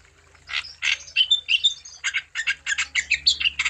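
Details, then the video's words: Wambi in full song, played to stimulate other wambi birds to sing: rapid harsh chirps mixed with short sharp whistles, repeated several times a second, over a faint low hum. "Burung Wambi Gacor Untuk Umpan Supaya Wambi Anda Tambah Gacor"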